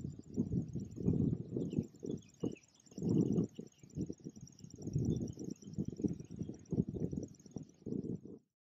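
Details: A River Warbler in Fertő-Hanság National Park, Hungary, in May 2019 gives a high, steady, insect-like rhythmic buzzing without pause, partly drowned out by heavy low wind rumble and rustling.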